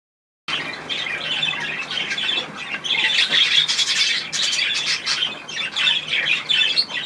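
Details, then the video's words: Budgerigars wanting to bathe, 16 March 2024: dense, busy chattering with scratchy chirps and squawks packed together almost without pause, rising in intensity after the third second, with rustling and splashing-like wing noise throughout. "Auch die Wellis möchten baden"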